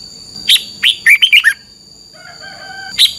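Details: Red-whiskered bulbul in a cage in Thailand, singing the double-phrase style for counting practice. One brisk phrase of six chirpy, rolling whistles, then a soft sustained tone and another note beginning. A steady whine continues in the background.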